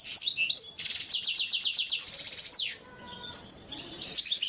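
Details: Oriental white-eye masteran training song: high chirps leading into a fast, evenly repeated rattling series and a descending buzzy slur, then softer high twittering.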